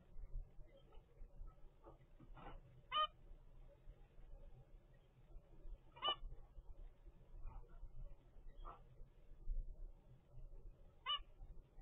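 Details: Young captive zebra finch at 25 days old, from a first clutch: scattered short nasal calls, a few sharp and clear ones spaced several seconds apart, against steady low room noise.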